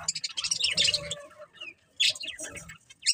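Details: Colourful pet budgies give squeaky, fast-chirping warbles in two lively bursts, with a soft low hum beneath.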